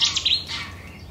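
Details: Cetti's warbler singing in April 2017 in the Uitkerkse Polder, Belgium: a short, loud fragment of sharp, clipped notes at the start, fading out within a second.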